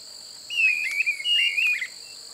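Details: Streamer-tailed tyrant at Pousada Aguapé, Aquidauana, Mato Grosso do Sul, Brazil, in open marshy habitat: two high, slightly wavering whistled phrases, each about half a second long, over a steady insect hum.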